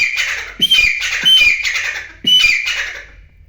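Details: Wild grey francolin calling, recorded for hunting; loud, harsh, shrill phrases with squeaky high accents, three bursts within a few seconds, close and dominant.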